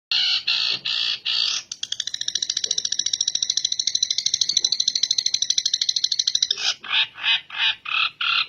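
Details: Long-tailed shrike singing energetically with a song that imitates the tengkek bird: harsh buzzy notes, then a fast sustained rattle lasting about five seconds, then a run of separate rasping notes roughly three per second.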